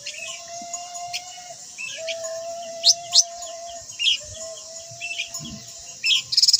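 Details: White-browed laughingthrush giving sharp, high, upward-swept chirps at irregular intervals, ending in a brief rapid rattle, over a constant low hum and a continuous high insect drone.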